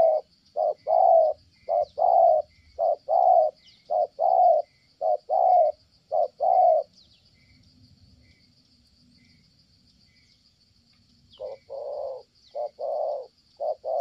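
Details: Steady cooing from a spotted dove in Kon Tum, Vietnam. Paired low coos, short then longer, repeat rhythmically, stop for about four seconds, then resume, all under a continuous high-pitched insect hum.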